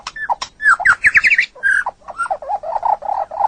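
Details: White-rumped shama masteran song for training songbirds: quick warbled whistles and rattles, then a lower run of rolling, gurgling notes.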